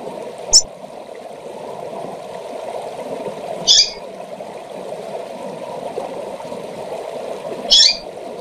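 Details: Female double-collared seedeater giving calls meant to stir up males. Three brief, sharp, high-pitched notes are spaced irregularly, roughly every three to four seconds, above a constant low background hum.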